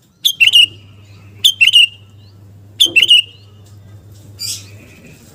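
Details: Kutilang garuda, a Sooty-headed bulbul singing actively, used to stir fighting spirit: three quick bubbly phrases of bright chattering notes about every one and a half seconds, then a short harsh rasp, with a constant low hum.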